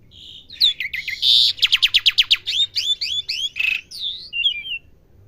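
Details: Young Asian pied starling learning its song: a varied phrase of clicks, a harsh burst, a rapid train of sharp repeated notes, then looping whistles.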